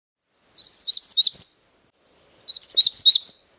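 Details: Magnolia warbler singing two short, high phrases of looping, slurred whistled notes, each phrase about a second long and accelerating slightly, separated by a pause; background otherwise silent.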